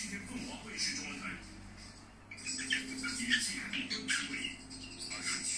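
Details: Singing budgerigar with rapid scratchy chatter and little chirps, a short near-pause around the middle, then a louder burst of clicking, squeaky warble; a steady low hum in the background.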